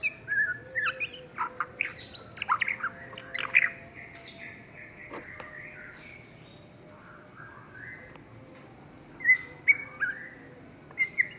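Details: Young white-rumped shama singing a varied song of rich whistles, quick chirps and sharp trills, in dense bursts over the first five seconds, then softer scattered notes, with loud phrases returning near the end; faint steady hum in the background.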